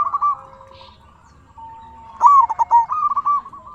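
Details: Zebra dove song meant to stir silent or stressed doves to reply: a short cooing phrase, a quiet pause with a thin steady tone, then a loud burst of quick, bubbling staccato coos.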